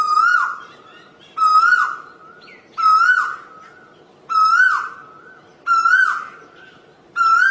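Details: Asian koel repeating its whistled call six times, roughly every one and a half seconds, each note climbing slightly and then falling off.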